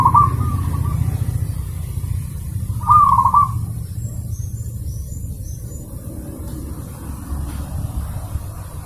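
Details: Zebra dove song recorded as a master for training caged birds: two short rolling, trilled coo phrases about three seconds apart, with faint high chirps from another bird afterward and a steady low background hum.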